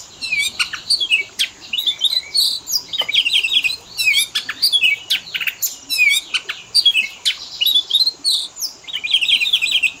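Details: Ten seconds of varied Oriental magpie-robin fill-in song for training pet birds: continuous mix of sharp ticks, quick warbled phrases and buzzy trills, with hardly any pause.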